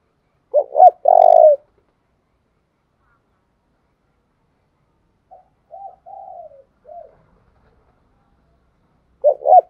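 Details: Spotted dove kept as a decoy to stir wild doves into calling. One loud phrase of two quick coos and a long burry coo, then softer, lower coos midway before another phrase starts at the end.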